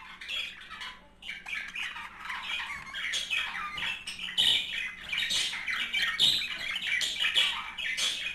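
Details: Budgerigar pair in continuous warbling chatter said to stimulate mating: overlapping scratchy squawks, chirps and short whistled notes, growing busier and louder toward the end, in a small room.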